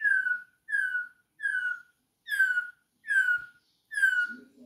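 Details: Campo troupial singing while perched on a finger: six clear, downslurred whistles, each about half a second long, repeated steadily with short pauses; a faint low rustle near the end.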